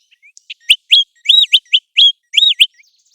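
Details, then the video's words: American golden plover, a bird of the migration and breeding seasons, giving a loud run of clear, high whistled notes, several arched up-and-down, about seven notes in three seconds against a silent background. "American Golden Plover Call | American Golden Plover Sound"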